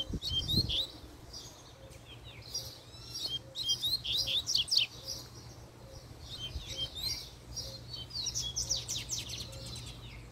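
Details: Fiery male double-collared seedeater delivering a puxada song, loud fast series of high, sharp whistles and rapid trills in repeated bursts, after a brief low thump at the start; faint regular ticking and low hum behind.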